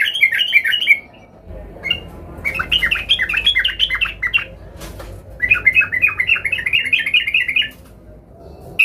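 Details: Yellow-vented bulbul singing agitatedly while seeking a rival, used as a lure to provoke other bulbuls into song: three bursts of bubbly, gurgling, liquid notes in rapid sequence, each phrase lasting one to two seconds, separated by short pauses.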